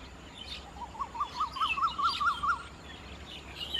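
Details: White-vented myna feeding on figs in rice fields at Khao Yoi, Phetchaburi, Thailand, 28 March 2016; a series of about nine short rising-falling notes repeated quickly, with faint higher chirps and background hum.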